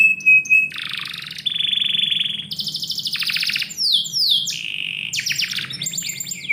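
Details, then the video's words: Canary singing inside a house in the morning: a clear whistled tone, then a string of buzzy trills at changing pitches, fast downward sweeps and sharp rattles, tours changing every second or so. "KICAU BURUNG KENARI - DIPAGI HARI DALAM RUMAH"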